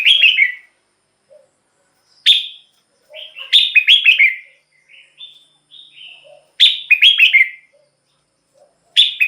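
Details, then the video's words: Red-whiskered bulbul song, played to excite birds or to lure wild ones: loud, bright, bubbly whistled phrases of about half a second, falling in pitch. They come every two to three seconds, with softer short notes between them. "เสียงนกกรงหัวจุก สำหรับต่อ หรือ เปิดให้นกคึก เสียงเพราะๆ"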